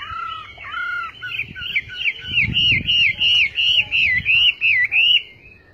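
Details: Chinese hwamei in song: loud clear whistled notes, a rapid series of looping up-and-down phrases repeated about three times a second, ending in a slower fading whistle; soft low rustling beneath.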